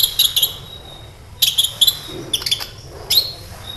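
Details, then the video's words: Kolibri ninja, a sunbird, calls in short clusters of very high, sharp tweets and clicks separated by quiet gaps of about a second, recorded as a lure to get other birds singing. "SEMUA Burung KOLIBRI CUEK LANGSUNG RESPON DAN GACOR Dengan PANCINGAN INI!KOLIBRI NINJA GACOR"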